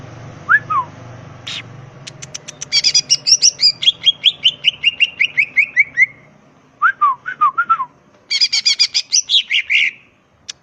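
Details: Greater green leafbird in full, energetic song in the rapid-fire ngetrok style: bright whistled notes slurring downward, quick clicking ticks, and a long descending chain of sharp chirps, with a faint low hum underneath.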